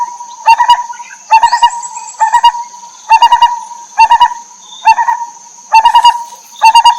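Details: Lineated barbet, mother bird feeding chicks in the wild: eight rhythmic bursts of hollow, pulsing notes, each three or four beats long, about one per second, over a continuous thin high drone.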